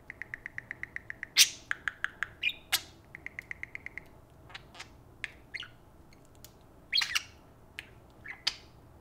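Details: Two pet parakeets take turns chattering at a spoon with quick runs of high ticking clicks, bright chirps and short squawky bursts in a fast, busy patter.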